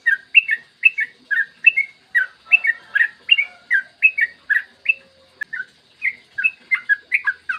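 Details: Steady chattering ropel song from a yellow-vented bulbul, recorded in the morning as a master to get other bulbuls singing: evenly spaced bubbly double notes, roughly two or three per second, with a short pause near five seconds.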